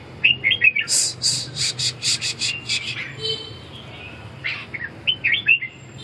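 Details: Red-whiskered bulbul giving quick, lilting whistled phrases at the start and end, separated by a run of about eight sharp, rhythmic broadband rustling or clicking bursts, with a low background hum.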